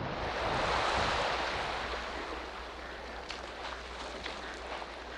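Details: Steady roar of wind and surf-like water noise with a few faint ticks, and no animal voice.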